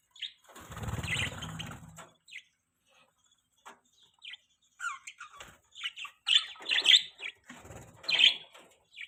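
Budgerigars give quick, bright chirps and scratchy warbling notes in irregular bursts, after a brief rumble of a passing engine at the start.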